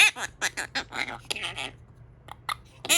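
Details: Pet Quaker parrot babbling in quick, harsh, speech-like syllables, a dense run of bursts followed by a few scattered squeaky notes after a short pause.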